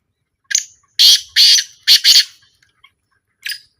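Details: Black francolin heard in a small calling trial, giving a harsh, grating phrase: one short note, then four loud rasping bursts in two pairs, and a fainter final note after a pause; no other sounds.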